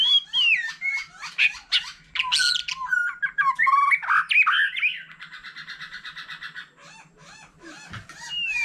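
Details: Varied song from a wild-matured white-rumped shama together with a laughingthrush: loud mixed whistles and squawky phrases, then a long fast trill fading out, with a whistle at the end.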